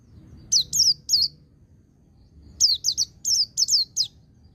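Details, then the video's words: White-eye training song: three high, quickly falling whistles, a pause of over a second, then a faster run of six similar down-slurred notes, all bright and clean above a quiet background. "Suara Burung Pleci Ngecir Sambung Ngalas"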